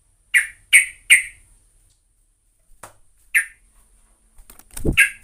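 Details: Sooty-headed bulbul (trucukan) in lively song: three quick bright notes in a row, a pause, another note, then a low thump followed by two more chirpy notes.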